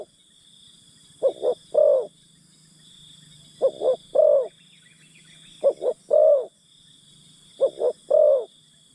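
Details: Spotted dove used as a decoy to draw in wild birds, giving four deep, soft three-note phrases: two brief coos, then a longer swelling one. Constant high-pitched insect buzz in the background.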